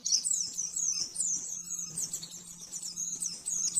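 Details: Oriental white-eye master song for caged-bird training, rapid 'nembak-nembak' style: short burst of high, fast twittering notes, rather soft, over a low steady hum and background noise.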